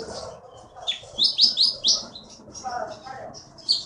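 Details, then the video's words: Prize-winning konin from the Bangka forest bursts into a run of sharp, rising high whistles, then softer chatter, against a murmur of low background sound. "KEETY BURUNG JAWARA FULL GACOR"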